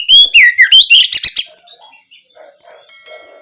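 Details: Loud 'ngeplong' song of an oriental magpie-robin, played as a lure so young kacer answer quickly: sliding whistles dipping then rising, a burst of sharp chattering notes, then quiet low warbles and faint tones.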